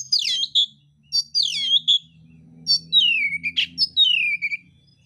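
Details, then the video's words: Oriental magpie-robin singing a fighting song of rough, varied phrases. Quick downslurred whistles and buzzy notes give way to longer falling whistled sweeps, with a steady low droning hum in the background. "kacer mintal tarung bongkar isian kasar"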